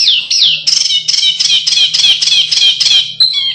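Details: Canary in fighting-style contest song, used as tutor audio: bright whistled notes repeated about three to four times a second, each falling slightly in pitch, forming an even rolling phrase that ends in a short buzzy note.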